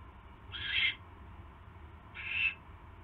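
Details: Owl at a nest during evening mouse deliveries on 29 January 2016; two harsh, hissing rasps about 1.6 seconds apart over a faint low hum.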